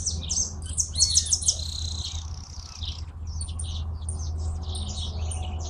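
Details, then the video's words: Hooded siskin, called jilguero argentino, singing a fast twittering run of high chirps and buzzy trills, dense at first, then a looser series of sharp notes, over a steady low hum. "Jilguero argentino"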